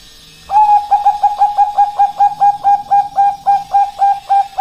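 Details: Bangkok zebra dove female calling for a male, used as a master and lure song: after a short quiet start, a fast steady sequence of clear cooing notes, about three per second, continuing to the end.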